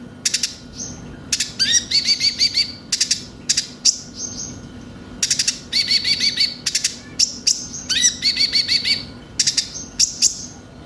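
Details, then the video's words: High, lively konin (brown-throated sunbird) song, played as a lure to make birds sing: recurring bursts of sharp clicks and quick rising chirped trills, separated by brief pauses, over faint background hiss. "Pancingan suara burung konin bahan cepat gacor"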